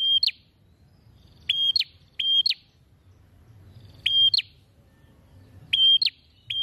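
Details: Bar-winged prinia in full song, beak wide open, giving loud, piercing two-note chirps, a flat tone ending in a rising snap, scattered in ones and pairs with gaps of up to two seconds, over faint low background noise.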